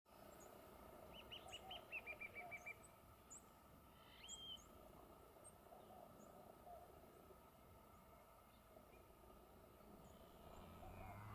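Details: A Verdin robbing nectar from tree tobacco flowers at San Felipe, Guanajuato, Mexico, gives a quick run of about eight clear, slightly falling notes, then scattered thin high chips over a steady background hiss.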